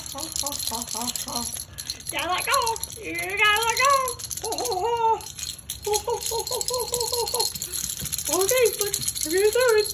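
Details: A pet Moluccan cockatoo indoors sings in bursts of rich, harmonic notes: short repeated hoots, then rising and falling swoops, some speech-like and laugh-like, over a steady rattling from his toy rattle during play.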